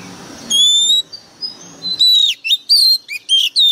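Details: Oriental magpie-robin used as a decoy, singing intensely: a long smooth whistle, a few softer notes, then a quick chain of varied, looping and dipping whistles.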